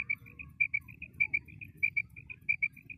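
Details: Female common quail calling: high, clear paired notes, repeated in quick, slightly uneven succession over a low background rumble.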